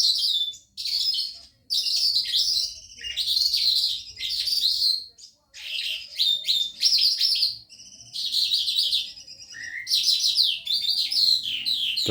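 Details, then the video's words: Calandra lark, a caged bird newly arrived that morning, singing at night; a rapid, varied stream of bright chirps, trills and buzzy phrases in bursts of one to two seconds separated by short pauses, with a faint low hum beneath. "Pekling calandra lark..siang malem bunyi burung baru nyampe td pagi malem udah bunyi"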